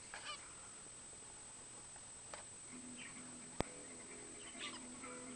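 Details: Zebra finches give a few short, nasal, toy-trumpet beeps, spaced irregularly, with a sharp click midway and a faint steady high hiss throughout.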